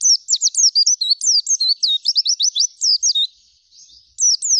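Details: Rolling zipper song of an oriental white-eye, gacor full isian style: fast high chirps run into a rapid repeated trill, pause briefly near the end, then resume with sliding whistles.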